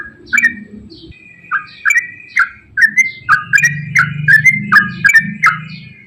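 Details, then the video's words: Straw-headed bulbul giving 'gacor ropel' song intended to coax silent birds to sing: a thin steady whistle opens, then chattering warbled notes build to a rapid, nearly continuous stream over a low humming background. "KICAU TRUCUKAN GACOR ROPEL PANJANG AMPUH UNTUK PANCINGAN TRUCUK SUSAH BUNYI"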